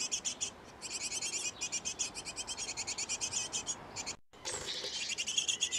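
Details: At a nest box where a great tit pair feeds its nestlings, fast trains of thin, high chirps run almost continuously, with a short silent break past four seconds and a fuller burst afterwards.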